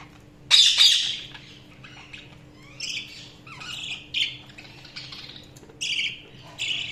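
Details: Budgerigar chirps: one loud scratchy squawk, then a run of quieter short warbling notes and chirps at irregular intervals, with a faint steady background hum.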